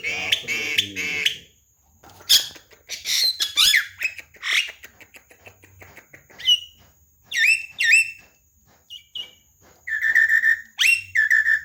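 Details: Javan myna, a talking bird, singing lively in a training recording for other birds: a harsh rasp, then varied chatter, sharp downslurred whistles and mid-pitched whistled phrases, with brief pauses.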